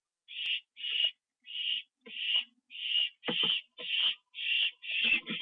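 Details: At 1:52 AM on 25 September 2011, an owl receiving a treat that is eaten inside gives nine harsh, hissy calls in a quick series, with scattered knocks and rustles under the later ones.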